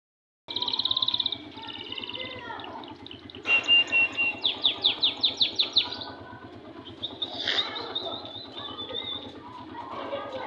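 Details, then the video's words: Caged canary hanging on a wall, singing bright high notes: a buzzy trill, then a fast run of rising whistled notes, then warbling phrases, over a steady low engine hum. "Canary bird is hanging on the wall."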